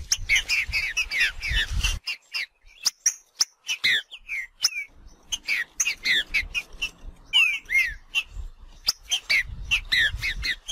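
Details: Green-winged saltator singing in nature: a lively run of whistled, slurred notes and sharp chirps, many sweeping up or down, delivered in quick bursts with brief pauses; low rumbling background noise at the start and end.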